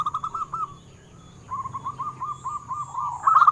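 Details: Local zebra dove, used to stimulate captive doves to sing, giving a short run of coos, a pause, then a quieter repeated series ending in a louder quick flourish, over low hum and a faint high tone.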